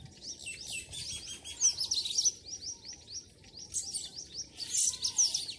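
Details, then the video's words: Morning birdsong from a village in Pakistan: a busy chorus of high, quick rising chirps and short twittered phrases, packed densely in two bursts with brief quieter gaps between. "morning sound of nature and birds"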